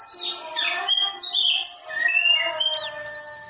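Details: Oriental magpie-robin in melodious song meant for training other birds: a fast stream of varied whistles, rising and falling slurs and sweet tones, ending in short high chirps.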